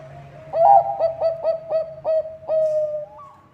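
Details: Bangkok-type zebra dove in full song, used as a lure to prompt other doves to sing: a soft introductory coo, then about seven short, rich, bouncing coo notes in quick succession, ending in a longer drawn-out note.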